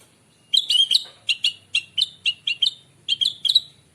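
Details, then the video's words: Morning song of a white-rumped shama, used as a lure for birds: a rapid string of bright, chirping whistled notes in short clusters, about a dozen bursts, with a brief pause before a final trill. "Kicauan burung murai pagi hari bagus untuk pancingan"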